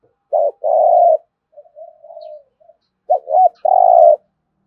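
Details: Spotted dove giving thúc gù cooing, a short note then a long hollow coo, a soft trailing murmur, then two quick notes and another long sustained coo, in an otherwise quiet setting.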